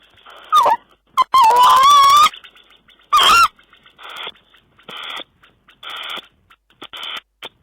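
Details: Tawny owl recorded on 5 June 2010: a series of short, harsh, hissing bursts, with one drawn-out hoarse call carrying a wavering tonal band near its middle. Quieter rasping notes follow, repeated at roughly one-second intervals.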